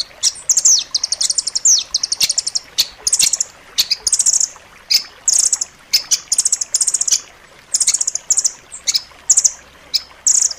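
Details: High, sharp trills from a rambatan loreng nuthatch, recorded as tutoring song for kept birds. Fast rattling note runs and a few slurred whistles are delivered in quick bursts about every half second to second.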